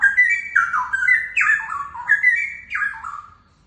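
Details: Young wild-caught Straw-headed bulbuls, a DNA-sexed male and female pair, sing rich, liquid warbled phrases that step down in pitch, repeated about every one and a half seconds, loud and clear over a faint background rumble.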